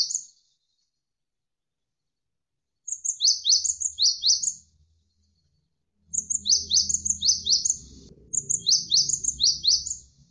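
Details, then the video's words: Javan sparrow performing gacor tutor song: three bursts of high, buzzy, downward-slanting chirps, each a fast string of six to ten notes with thin upper tones, the last ones over low rumbling background. "MASTERAN GELATIK WINGKO Gacor Berjeda 1-3 Menit"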